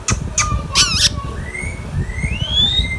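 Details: Indian ringneck parrot, a talking pet bird, gives two short harsh squawks, then a wavering nasal cry, followed by long, thin, rising whistles that slide upward toward the end. Faint background rustle throughout.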